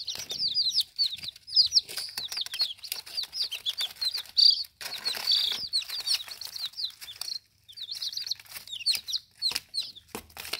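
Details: Several baby chicks in their first ten days, eating and drinking, give a dense stream of high, thin, downward-slurred peeps, overlapping almost continuously, with sharp clicks and taps from pecking scattered throughout.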